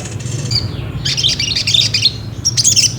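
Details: Ruby-cheeked sunbird, played as a lure to provoke another bird into singing: bursts of thin high chirps and twitters after a brief soft note, over a steady low hum.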